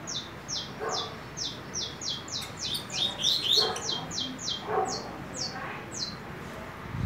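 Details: Saffron finch youngster of four months, going into nest moult, delivers a steady string of high downslurred notes, about three per second, with a denser twittering burst in the middle; faint low barks sound in the background.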